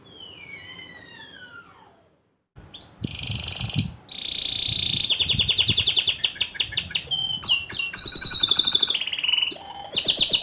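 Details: Canary song in the ngerol nembak style: a soft series of falling whistles, a short pause, then a loud torrent of buzzy rolls, rapid chips and sharp swooping whistles lasting the rest of the clip.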